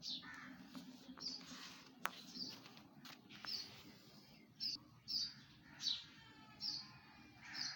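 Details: Morning birdsong from a tree, heard as short high chirping notes repeated at uneven intervals, getting louder toward the end, over low ambient rumble and occasional clicks.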